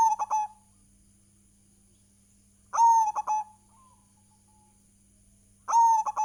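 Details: Zebra dove, local type, giving its lure song to stimulate other doves to sing: a mellow coo phrase repeated about every three seconds, each a long steady note trailing into three quick short notes, over a constant faint hum.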